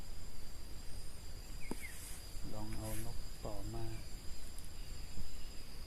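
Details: Spotted dove in a hilly forest area of Phitsanulok, Thailand, where a decoy dove is set out to lure wild doves: two low, hoarse cooing phrases about a second apart, over faint crickets and a steady high insect whine.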